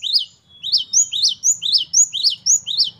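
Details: Gelatik batu, the great tit, repeats one bright, sharp two-part phrase about four times a second in an even rhythm, over faint low background murmuring.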